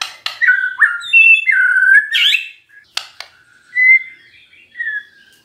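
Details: Magpie-robin song used to provoke a non-singing bird to respond: varied whistles and slurred notes mixed with harsh rasping bursts, then fading into scattered soft whistles.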